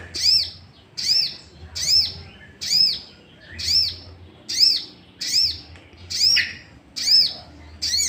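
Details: Sooty-headed bulbul used as a lure to provoke other bulbuls into singing: sharp high arched chirps with a lower echoing note, repeated about once a second in a steady, even series, with faint low rumble beneath.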